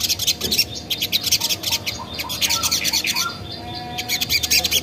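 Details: Lure song of a spiderhunter (sogon), used to draw replies from other birds: rapid high chipping notes in bursts, briefly thinning near the middle before resuming at full pace.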